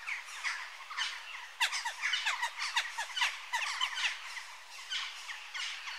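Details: Chattering Western jackdaw flock, clipped squawky chack notes falling in pitch, fired in quick uneven bursts, with a louder cluster after the first second and a constant busy background of more calls.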